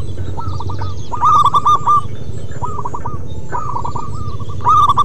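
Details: Local zebra dove's 'manggung' song: repeated phrases of short hooked coos, several loud staccato bursts swelling above the rest, overlapping runs suggesting more than one singer, low rumble throughout.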